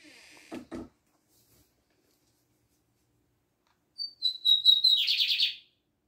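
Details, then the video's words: Lined seedeater singing a short song: a few high whistled notes, then a rapid buzzy trill lasting about a second, preceded by two brief knocks. "bigodinho Libanês cantando"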